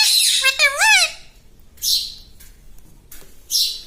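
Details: Talking pet parrot in a small room, known for saying "mummy"; a quick run of wavy, swooping harmonic syllables in the first second, followed by three short, hissing squawks.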